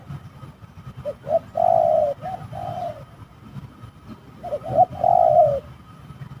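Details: Spotted dove heard in a fight at a trapping site: two clipped coos rising into a long rolling croo, the phrase given twice, with a faint low rumble underneath.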